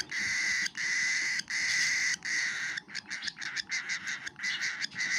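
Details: Feeding cockatiel baby making loud, scratchy, hissing begging rasps: long continuous grating bursts at first, then breaking into rapid short choppy pulses, then a longer rasp again.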